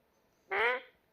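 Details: Talking Indian ringneck parakeet kept as a pet gives a single brief, nasal, buzzy voiced syllable with strong stacked overtones, rising slightly, then silence in a quiet room.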